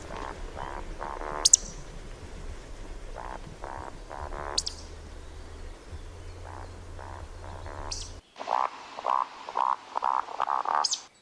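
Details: At night, a Eurasian woodcock gives low, rhythmic croaks in quick groups of three to five, each run capped by a sharp, high-pitched squeaky beep, over a faint low hum underneath.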